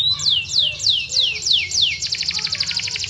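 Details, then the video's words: Yorkshire canary song used to prompt silent canaries to sing: a run of loud downward-sweeping whistles repeated several times a second, breaking into a quick high rattling trill. "Yorkshire Gacor Panjang cocok buat pancingan dan masteran burung lomba"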